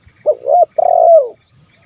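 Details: Terkukur, spotted dove, giving a 'kuk 1' call meant to draw in wild birds: a single phrase of two quick hollow coos then one long, gently falling coo, in quiet surroundings.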